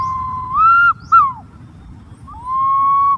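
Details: Green pigeon call: a long level whistle rising into a brighter note, a short falling whistle, a pause, then another long steady whistle.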